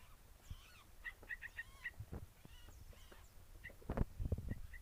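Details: Two seven-day-old hand-fed Yellow-vented Bulbul chicks give thin, high chirps in quick bursts of five or six, over soft handling thumps and low background noise.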